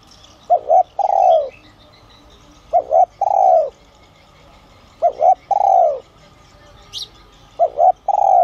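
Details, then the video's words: Decoy spotted dove with a son-style voice, calling to draw wild doves in. It repeats four phrases, each two quick hollow coos then a long drawn-out falling coo, roughly every two and a half seconds. One brief high chirp is heard. "Chim Cu Gáy GIỌNG SON kích bổi| | tiếng cu gáy gáy gọi , thúc kích mồi, gọi bổi đến"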